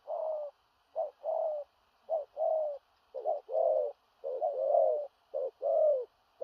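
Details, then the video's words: Spotted dove cooing in the 'thổ rặc' manner with stuttering 'gù cà lăm' notes, low hoot pairs where some long notes break into doubled, halting syllables, repeated roughly once a second. "Cu Gáy/THỔ RẶC ÂM KHỦNG/Clip455/Nước Xa Thúc Kèm Gù Cà Lăm/Tướng Bộ To Bự"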